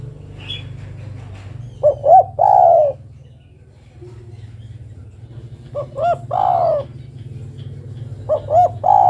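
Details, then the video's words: Female spotted dove summoning a male repeats her phrase three times, each time two or three short coos leading into a long falling croon. Faint fluttering and soft chirps are heard at the start. "Suara burung derkuku betina memanggil jantan"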